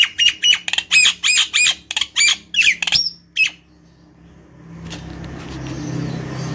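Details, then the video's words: Nias hill myna (jalak nias) calling, used to lure and stimulate other birds: a run of about ten loud harsh squawking notes, roughly three per second, ending abruptly, followed by quiet background rumble. "Pancing jalak nias dirumah dengan suara jalak nias gacor ini"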